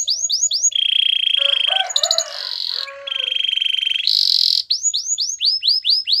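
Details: Canary singing a training song with curved upslurred chirps, a long even rolled tone, dry rattling notes, a second roll, a brief high buzzy burst, then a rapid string of arching chirps.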